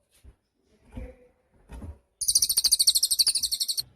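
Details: Cililin singing, recorded for training cage songbirds: a few soft low thumps, then a rapid high-pitched trill of evenly spaced buzzy pulses lasting nearly two seconds.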